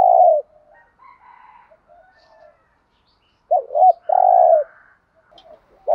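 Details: Spotted dove used as a decoy, bought in Dak Lak, Vietnam. A low coo ends, then quiet soft notes, then a wavering double note and a long steady hoot. Faint chirps from other birds are heard in the background.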